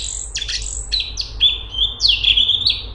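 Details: Straw-headed bulbul (cungkok) giving tight, fast song: a few high sharp notes leading into a sustained, wavering whistled phrase.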